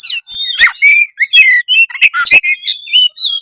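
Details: Oriental magpie-robin in continuous 'gacor' song: rich, fast-changing whistles mixed with harsh scratchy bursts, almost without pause.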